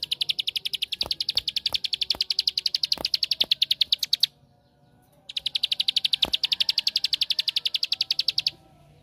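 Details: Rapid, steady high chipping from a bar-winged prinia (ciblek sawah), a song played to provoke rival prinias into singing. Two long runs of about four notes per second, split by a one-second silence, with faint clicks underneath.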